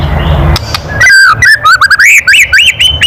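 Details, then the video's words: White-rumped shama kretekan, a loud call meant to provoke rivals: after a brief noisy start, a quick chain of looping, upslurred whistles and clicks climbs steadily in pitch. "SUARA KRETEKAN MURAI BATU KERAS MEMANCING EMOSI"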